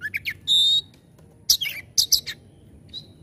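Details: Oriental magpie-robin (kacer) giving a short tembakan-style phrase: quick chips, then a steady high whistle held about a third of a second, followed by harsh scratchy notes and a few fast sharp bursts.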